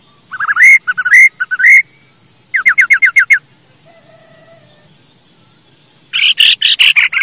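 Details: Masked laughingthrush, recorded as a master song for training birds, gives quick wavering whistles, a run of six short clipped notes, a faint quiet gap, then a harsh fast chatter.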